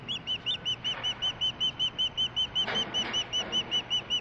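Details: An unseen female osprey close by, chirping as a fish is delivered to her on July 23, 2015: very even, rapid whistled chirps, roughly three each second, over faint rustling background noise.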